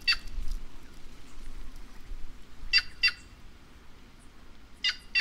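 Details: Repeated pairs of buzzy, grating notes from a White-naped jay (Cyanocorax cyanopogon) of the Brazilian caatinga, three bouts within five seconds, against a noisy, rumbling background.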